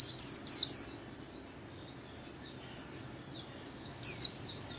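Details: White-eye in 'líu' style, a solo for daily song training: three loud high squeaky notes open, followed by a soft fast chatter and one more bright note near the end.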